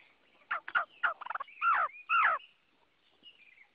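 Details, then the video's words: Chinese hwamei singing: quick downslurred whistled notes, then a fast trill-like cluster, followed by two longer, rich warbling phrases and a faint trailing note, in a quiet setting. "Tiếng Họa Mi hót | The sound of the bird Garrulax canorus"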